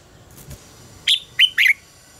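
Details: Red-whiskered bulbul singing in contest style, used as lure sounds to train birds: after faint clicks, a quick run of three clear whistled notes, each slurring downward, the final one warbled.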